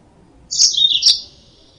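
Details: A single short, sharp twitter from a yellow-fronted canary, used as a trapping lure, with two bright chirps joined by a sliding note in under a second.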